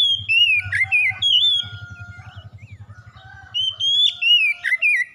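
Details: Oriental magpie-robin in lively song: loud rising and falling whistled phrases with sharp chips, interrupted by a steady level tone and a low rumbling hum.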